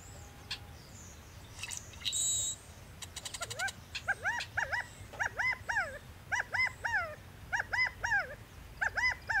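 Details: California quail giving clear, arched, slurred notes in quick groups of two or three, repeated steadily, after a few clicks and a brief harsh sound; along Bear Creek Road outside Wallowa, Oregon, 7 June 2006.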